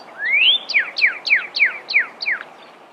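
A Pyrrhuloxia opens with a long rising whistle, then gives six sharp downslurred notes, about three a second, clear and bright over a quiet background.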